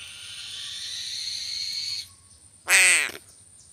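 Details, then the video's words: Crow giving one loud, harsh, nasal caw about half a second long, preceded by a steady hissing noise and followed by quiet. "BURUNG GAGAK"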